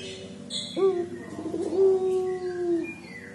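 A Barbary dove gives one long, low, mournful coo, held steady for about two seconds and rolling slightly before it fades, over faint background hiss.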